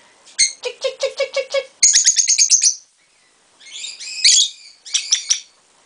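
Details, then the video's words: Peach-faced lovebirds, a lutino female and a younger bird, calling back and forth indoors: a rapid series of seven even chirps, then a harsh buzzy rattle, then two bursts of dense high chatter. "our talking lovebirds answer one another"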